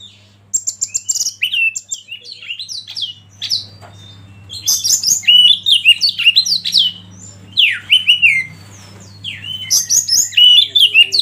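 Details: Magpie-robin song made for training, with a natural river flow and wild birdsong behind: long run of sharp, varied whistles, slurs and chatters, arriving in loud bursts with brief lulls, over an even low background hum.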